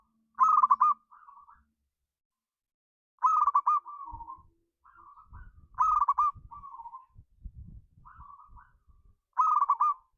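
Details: Zebra dove, a local Indonesian bird, delivering a rousing ngayer kerot nutut song to prompt other doves: loud rapid rolling trills repeat about every three seconds, each followed by softer purring notes, with low thumping knocks between.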